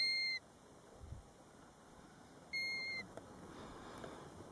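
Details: European golden plover at its nest close to a roadside, Batsfjord, captured from a car: a whistle cut off at the start, then one full, steady, piping note lasting half a second.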